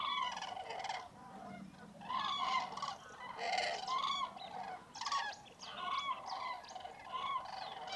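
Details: Common cranes awakening by the hundreds at a foggy mid-January roost in Tablas de Daimiel, Spain; dense, unbroken chorus of overlapping trumpet and rattling calls from the whole flock, geese and teal also nearby.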